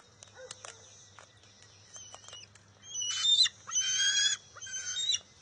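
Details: Wild bald eagle eaglet at its nest on June 23, 2021, fighting its mother over a fish she grabbed and stealing it back. Faint scattered notes at first, then loud, harsh, harmonic squeals in three bursts near the end.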